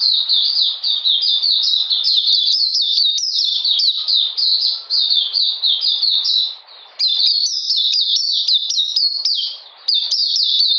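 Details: Long, unbroken bout from an Oriental magpie-robin in cold rainy weather, 13 June 2020: rapid, high, sweet whistled notes repeated in quick rolling phrases, pausing briefly twice.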